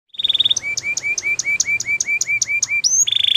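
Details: Belgian canary (Serinus canaria domestica) singing in the morning: a rapid trill, then about a dozen quick rising whistled notes, ending in another fast bright trill.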